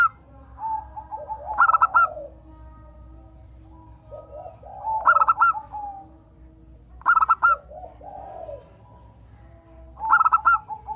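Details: Local zebra dove song used to prompt other birds to sing: four loud bursts of quick, clipped cooing notes arrive about every three seconds, with softer, lower, drawn-out coos between.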